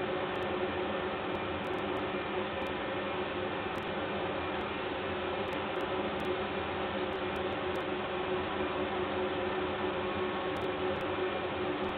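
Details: Steady broadband hiss throughout, with a few faint sharp clicks and no animal sound.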